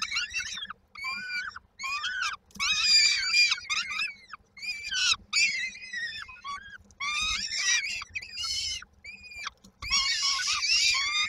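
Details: Hungry peregrine falcon nestlings in Koszalin, Poland, on 19 May 2022, wait for their mother and dinner, uttering continuous harsh, creaky wails that rise and fall, several voices overlapping with short gaps.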